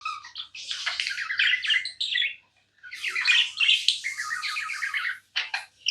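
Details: Tame pet budgerigar chirping nonstop: dense buzzy warbling chatter with quick squawky notes in two long bursts, a brief pause near the middle, then short chirps at the end.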